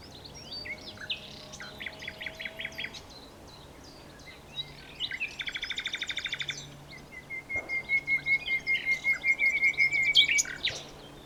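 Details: Common nightingale song: chattering trills, a buzzy rapid rattle of repeated notes, a long pure whistle, then a slow series of loud, throbbing repeated notes building in strength, over a quiet low hum.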